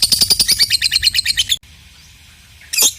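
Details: Short lovebird ngekek burst, a lure to set silent lovebirds chattering: roughly a dozen quick, shrill, buzzy pulses over a second and a half, then quiet and one harsh rising squeak.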